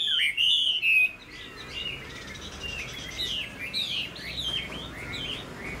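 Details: Chinese hwamei kept as a cage bird in Vietnam, known as a good singer: a loud, clear descending whistle opens, followed by a quick string of slurred rising and falling notes, sweet and varied.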